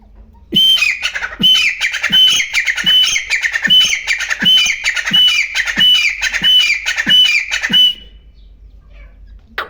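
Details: Wild grey francolin calling: a loud, harsh, ringing phrase with a thin whistled note on top, repeated about every three quarters of a second for some eight seconds, then stopping into quiet background.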